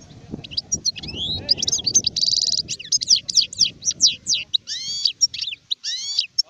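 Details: An adult European goldfinch sings continuously in a dense, fast medley of tinkling twitters, sweeping slurred notes and a harsh buzzy trill. Faint low rumbling noise lies underneath.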